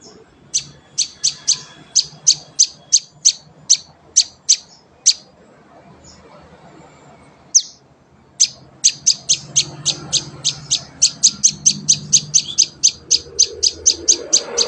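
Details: Prinia chick, a hand-fed young bird, giving sharp high chirps in a steady run of about three per second, pausing for several seconds midway, then resuming faster and denser; faint low room rumble beneath.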